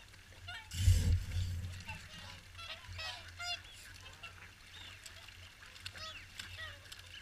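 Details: Overlapping swan honks from a large gathering at WWT Caerlaverock's morning feed, with a sharp low buffet of wind near the first second.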